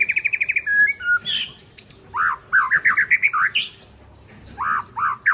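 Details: White-rumped shama of the Aceh Tangse type singing against a rival: a rapid series of short whistled notes, then rich looping phrases of slurred whistles rising and falling, repeated in bursts, with a brief harsh note between.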